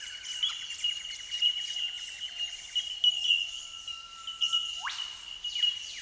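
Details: Bell miners (bellbirds) recorded at Benarkin, south-east Queensland, ringing a constant high tinkling chorus of clear repeated pings, while another bird adds loud rising swept whistles near the end.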